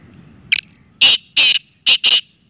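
A black francolin gives its harsh, grating call: one short clipped note, then four loud rasping notes in quick rhythm, over a quiet background.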